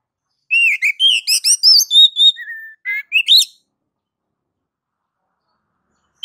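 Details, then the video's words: Kacer (oriental magpie-robin) in ngeplong style, used to spur other kacer to sing. A three-second phrase of varied whistles, chirps and a low level note, then silence with a brief note at the end. "MASTER DASAR KACER NGEPLONG MEMANCING KACER AGAR CEPAT BUNYI GACOR Birds Song Kacer"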